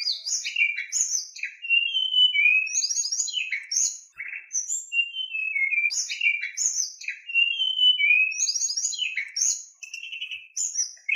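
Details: White-rumped shama in energetic continuous song, intended to provoke rival shamas into singing: dense mix of sliding whistles, harsh chattering bursts and high sharp notes, phrases repeated almost without pause.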